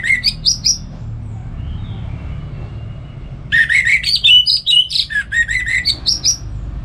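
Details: Morning song of a home-kept orange-headed thrush, used to train and stir other songbirds. A short whistled phrase comes first, then a pause, then a lively run of varied jumping notes, high and low, repeated about twice a second.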